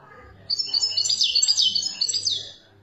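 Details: Algerian European goldfinch song, 'khaloui' style: sudden onset of lively high twittering with tinkling notes and short buzzy slurs for about two seconds, then stopping, over a faint low hum.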